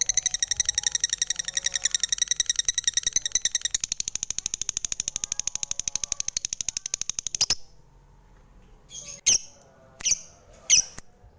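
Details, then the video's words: Lovebird singing in a long, fast, even train of high, sharp chirps for about seven seconds, then falling silent before three separate piercing chirps near the end. "Suara Merdu Burung lovebird"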